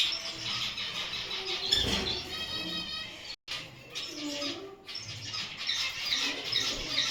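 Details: Kept Gouldian finch calling: a short run of rapid, evenly repeated high notes forming a brief trill, set against steady twittering from other birds and background noise.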